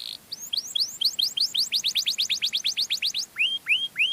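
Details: Canary singing a melodious song used to lure other canaries: rapid hooked whistled notes, about four per second, then three slower rising-then-falling whistles near the end.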